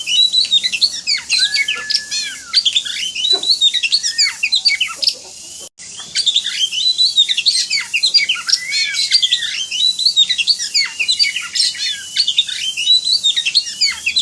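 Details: Masteran-style Oriental magpie-robin (kacer) song: a nonstop stream of sharp chips, buzzy chatter and slurred whistles, with a longer level whistle early on and a short break midway before the rapid medley resumes.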